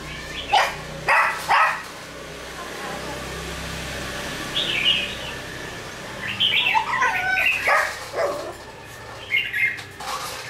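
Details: Red-whiskered bulbul, wild-caught and kept twelve days in a cage, responding to a decoy bird with a few short, bubbly warbled phrases over steady background hiss, preceded by several loud knocks.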